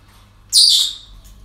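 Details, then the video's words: A single loud, harsh, high parrot screech lasting about half a second, at a breeding centre on an ordinary day, fading quickly into quiet background. "Relajación Loros En El Centro De Cría"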